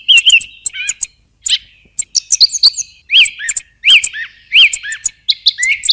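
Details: Song thrush singing in bright, high whistled phrases. Rising and falling slurred notes are repeated two or three times, mixed with thin high chirps and brief silences.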